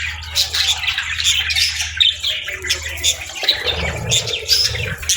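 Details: Budgerigars chirping in the morning: dense, overlapping warbled chatter of quick high chirps and squeaks, continuous throughout, over a steady low hum and a faint watery rustle.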